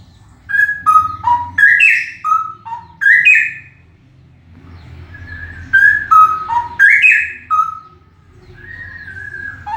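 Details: Loud song of a male straw-headed bulbul, delivered as two runs of liquid, gurgling whistles jumping between high and low notes, with a quiet gap and faint low hum between them.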